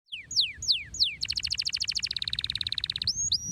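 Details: Canary in loud, long, shrill song: several sweeping downslurred whistles, then a rapid metallic trill of even repeated notes lasting nearly two seconds, closing with high upslurred whistles over faint low background hum.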